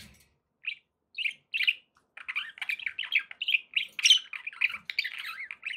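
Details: Pet budgerigars begin with a few separate squeaky chirps, then break into a steady, busy warbling chatter of twittering and rasping notes.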